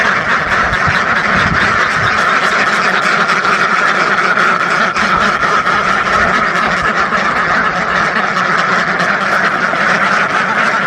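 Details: Flock of thousands of ducks quacking together in a dense, continuous chorus of overlapping nasal quacks, steady and loud throughout with no pauses or other distinct sounds.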